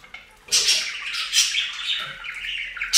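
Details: Pet budgerigars at a bathing fountain: after a brief quiet start, one long harsh, buzzy squawking burst with chirpy edges runs continuously to the end.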